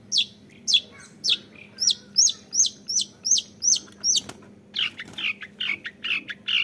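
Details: A young long-tailed shrike, a cage bird, repeats crisp hooked whistles about twice a second, then switches to rougher buzzy notes in a steady series; low hum in the background.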